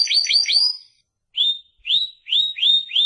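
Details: Short excerpt of Timbrado canary song: three quick rising upslurred notes, a pause, then four clear rising whistled notes spaced about half a second apart.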